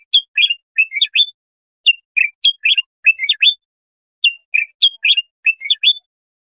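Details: Bulbul singing, recorded for tutoring young goldfinches or hybrids: short whistled phrases of quick up-and-down notes, sung in bursts separated by brief pauses, with a clean, quiet background.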